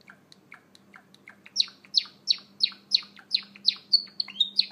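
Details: Java sparrows that have just eaten maggots give sharp, high, downslurred chip notes, soft at first and then loud, about three a second, over a faint steady low hum.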